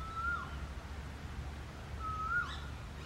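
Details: Two female rose-ringed parakeets fight over a nest hole in a tree; two brief, rising squawked notes about two seconds apart sound over a low, steady background rumble.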